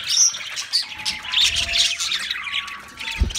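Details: Several pet budgerigars singing: dense, high warbling chatter of squeaks and trills with brief whistled notes, almost continuous for three seconds, plus a short low thump near the end.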